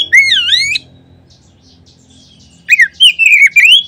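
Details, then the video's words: Oriental magpie-robin song used as a lure to prompt other magpie-robins to sing: a loud, rich, swooping whistled phrase with strong overtones, a pause of nearly two seconds, then quick varied whistled notes. "Kacer manapun seketika terangsang berbunyi dengan pancingan ini."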